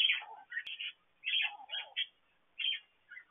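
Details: Parakeets inside an aviary with plenty of food; bursts of bright, scratchy chirps mixed with lower warbling notes, coming in quick clusters with short silent gaps.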